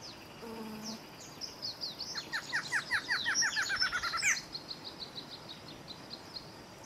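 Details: Barred Antshrike, a male, sings a quickening string of roughly fourteen nasal notes over two seconds ending with a sudden louder note; a brief low hum opens the recording and high twittering birds continue throughout.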